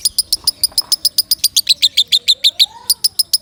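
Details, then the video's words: Lovebird singing loudly for training other birds: quick bursts of piercing high chips, around three per second, with a soft rising whistle from another bird underneath. "Suara Kencang Lovebird Sukron | Untuk Pemasteran"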